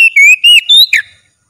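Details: Kacer, the Oriental magpie-robin, singing vigorously during daily training: five loud, pure whistles, some level, some rising or dipping, each about a tenth of a second, ending on a short harsher note.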